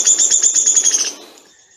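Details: Downy woodpecker (Dryobates pubescens) whinny: a quick run of about nine high, sharp notes over one second, dropping in pitch and fading at the end; the drop in pitch identifies it as a downy woodpecker.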